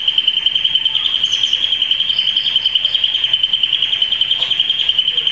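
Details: Red mosaic canary from 2012 holding one long, high, rapid rolling trill. The tone stays steady and shimmering throughout, with faint higher notes in the background.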